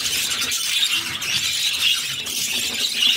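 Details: Budgerigar chicks, six together, are fed by their mother while giving a constant grating, hissy squeal, broken by faint thin whistled squeaks at intervals.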